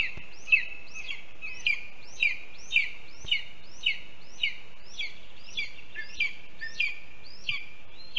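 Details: Lesser spotted eagle chick at a nest on a live nest camera in Latvia, 7 July 2022, begging while waiting for its mother to feed it a mole brought by its father: sharp high piping notes, repeated about twice a second, over steady background hiss.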